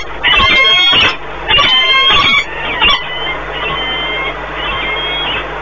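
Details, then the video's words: Peregrine falcons bonding during a long meeting at the nest, Orlen Płock, Poland, 1 March 2019; two loud harsh harmonic call bursts, a short note, then softer drawn-out whining calls. "Sokoły wędrowne Orlen Płock (PL) - 2019.03.01 - Długie spotkanie, wiązania"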